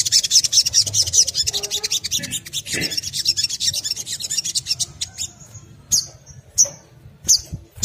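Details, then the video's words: Crimson sunbird chattering lure song for prompting other birds: a rapid, high trill runs for several seconds, then thins into sharp single high notes spaced about half a second to a second apart. "SOGON ngriwik kemrecek untuk pancingan bunyi burung SOGON lainnya - pancingan SOGON agar cepat bunyi"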